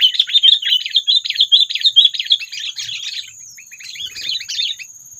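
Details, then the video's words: Sooty-headed bulbul lure call used in bird trapping to provoke predators: dense bursts of chattering, bubbly notes, fast and irregular, fading after three seconds before a quieter chattering phrase, over a steady high whine. "SUARA PANGGILAN AMPUH PIKAT KUTILANG MEMANCING EMOSI PREDATOR"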